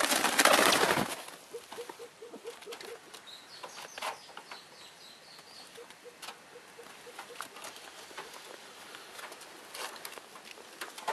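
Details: Newly arrived female Elliot's pheasant: soft, low clucking notes in quick, even runs of about four per second, pausing between bursts, with a loud rustle at the start, scattered knocks, and faint high chirps from another bird.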